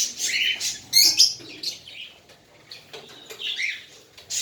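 A young cockatiel gives raspy, high-pitched chirps in short, uneven bursts.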